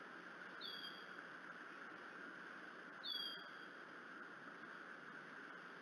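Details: Bald eagle at a Decorah nest with young chicks, early morning after an overnight snowfall on 16 April 2018, the mother stretching and calling before feeding: two thin, high whistles, each gliding slightly downward, about 2.5 seconds apart, over a steady background hum.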